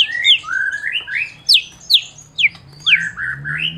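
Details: Champion white-rumped shama of the Medan type, used as a provoking song for silent shamas. Rising warbled notes broken by four sharp high downslurred calls about every half second.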